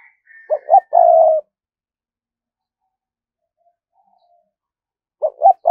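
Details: Spotted dove kept as a lure, giving thúc gù coos: a faint high note, then two clipped low notes and a longer throaty coo, a long silence, and the next phrase beginning.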